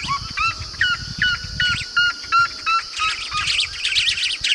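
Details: Yellow-rumped marshbird, a strong whistler of marshes, repeats clear whistled notes nearly three times a second, then breaks into a dense, jumbled burst of high chattering, with insects droning behind.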